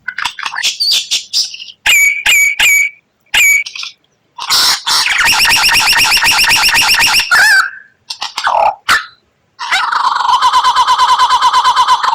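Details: White-rumped shama in rare 'tembakan' style song for training songbirds: loud whistled notes that open into long fast rattling trills, broken by brief pauses and a descending slurred note.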